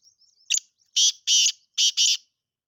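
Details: Black francolin call: a few loud, harsh, grating notes in two paired bursts, preceded by faint high twittering.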